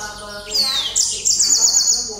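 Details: Yellow canary singing at night: a high whistled note sliding steeply downward, then a fast, bright trill of rapidly repeated high notes, with faint murmuring voices low in the background.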